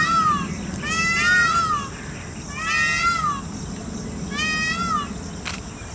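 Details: Indian peafowl calling during a peacock dance: loud nasal wails in a loose series, one short, then two long arched calls, then a softer one, spaced one to two seconds apart, with a brief click near the end.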